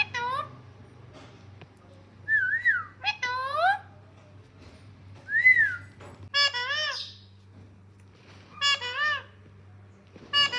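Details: Pet green parrot, described as talking: a series of varied whistled and squawking calls, some rising and falling, some harsh and harmonic, in short bursts separated by pauses, with low household hum throughout.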